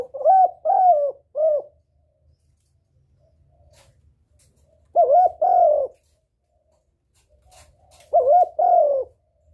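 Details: Spotted dove calling to lure a male, three phrases of two or three loud, hollow, slightly wavering coos, each phrase about three and a half seconds apart, with faint low rumbling between them.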